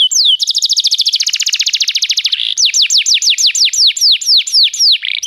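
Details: {'caption': 'Canary song for making a canary sing: a fast buzzy rattled trill lasting two seconds, followed by a string of clear downward-slurred whistles repeated roughly three per second.'}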